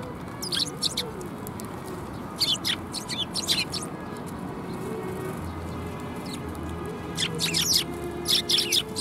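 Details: Sparrows coming to be fed at a Tenmangu shrine, January 25 2021: bursts of sharp high chirps in short clusters, pauses between, steady low background rumble.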